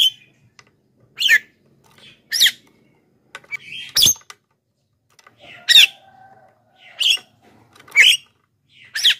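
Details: Black-winged myna song used to call wild birds and train lazy home singers: rasping, scratchy squawks every second or so, with a low steady hum and faint clicks in the background.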